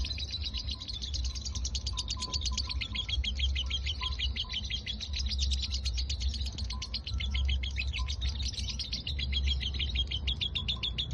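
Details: Caged lovebird kept and trained for the konslet singing style: a long unbroken, rapid chattering trill runs through the whole eleven seconds, with a steady low rumble beneath.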